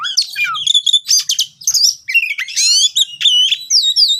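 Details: Oriental magpie-robin song played as a lure to spur lazy birds into singing: varied bright whistles, rising and falling sweeps and clustered chattering notes in quick phrases separated by short pauses, on a quiet background.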